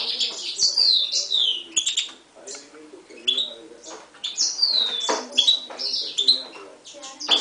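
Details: Goldfinch-canary mule hatched in 2011, Himalayan goldfinch crossed with a timbrado, giving separated bursts of sweeping, downslurred whistles and twitters, with quiet gaps and some low indistinct sound between phrases.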